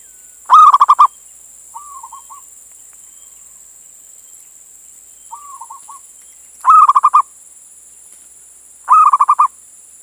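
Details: Calling male zebra dove, a local Indonesian bird summoning a female. Three loud bursts of fast repeated coo notes are separated by two soft, brief rolling phrases. A faint continuous hiss is heard throughout.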